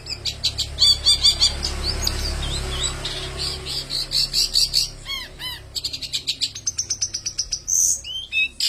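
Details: Peles-style song from a long-tailed shrike, a varied run of high chirps, squeaky slurred notes and fast repeated ticks, over a low background hum.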